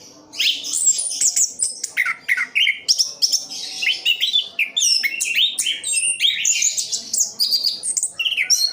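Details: Caged orange-headed thrush, a hardy easy-care songbird, pouring out a continuous medley of rapid chirps, rising whistles and scratchy high notes, phrases tumbling quickly one after another with barely a gap.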